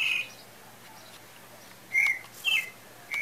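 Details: Pale-breasted thrush singing as breeding season is thought to be approaching: short clear whistled notes with overtones, one at the start and three more spaced about half a second apart near the end, over quiet background hiss.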